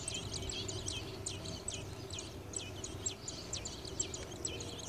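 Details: Robin nestlings in a nest built on a light beside a garage door beg with thin, high squeaky chirps, rapid and overlapping, about two a second, while awaiting the mother bringing a worm; distant traffic rumble.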